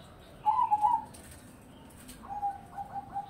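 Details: Zebra dove of crossbred stock, a perkutut in strong voice through the day: one crisp rolling coo phrase, then a softer, longer run of trilled coos near the end, with faint background noise.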